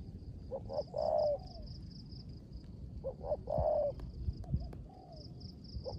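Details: Spotted dove decoy belonging to a keeper, cooing 'rước gù' style in the rain; two full phrases of quick double notes and a long throaty falling coo, a softer fragment after, steady high pulsed chirring behind.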